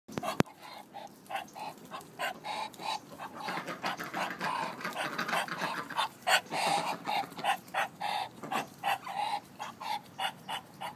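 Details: Male Muscovy duck, which does not quack, giving breathy, huffing sounds like heavy breathing, short puffs repeated about three times a second, growing louder and steadier after the first few seconds.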